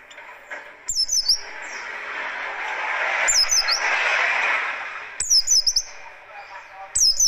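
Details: Buxtoni-type Oriental white-eye in rough, rapid riwikan style, used for luring and song training: short bursts of thin, high, zigzagging notes repeated every two seconds or so, over a loud rushing broadband noise in between.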